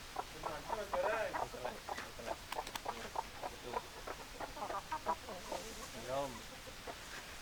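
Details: Chicken flock with hens clucking and roosters: repeated short clucks and a few louder drawn-out squawks around the middle and end, many birds overlapping.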